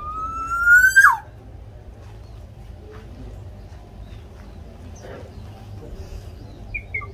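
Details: Javanese black-naped oriole singing vigorously, used to prompt captive orioles to sing: one loud rich rising whistle that ends in a sharp downward slur, followed by quiet background with faint distant chirps.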